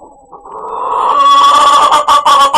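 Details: Chicken giving a weird, funny call: a low murmur that swells into a loud, harsh, nasal squawk with a steady tone, breaking into short bursts near the end.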